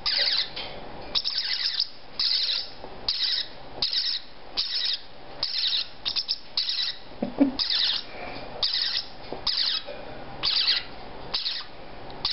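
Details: Captive parrotlet chicks three to four weeks old, all females, head-bobbing and starting to feed themselves. Harsh, raspy calls come in short bursts about twice a second and continue steadily throughout.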